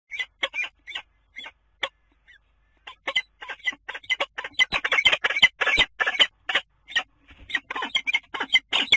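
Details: Common kestrel at the nest box on the Dunea water tower, Scheveningen, Netherlands, 10 April. Harsh scratchy notes come sparsely at first, then thicken into a dense, irregular chattering.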